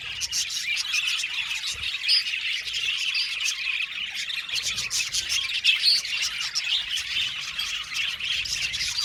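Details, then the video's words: An aviary colony of Australian budgerigars sings and chirps together in a continuous dense wash of overlapping high warbles, chirps and squawks, with no pauses. "Budgies singing and chirping sound"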